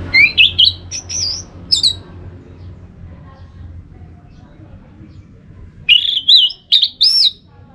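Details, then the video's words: Orange-headed thrush singing, a recording meant to encourage other thrushes to sing in the morning: bright, warbled, rising and falling whistled phrases open and close the passage, with a quiet gap and a low hum between them. "Untuk Merangsang ANIS MERAH Berani Bunyi Dalam Krodong Ataupun Pada Pagi hari"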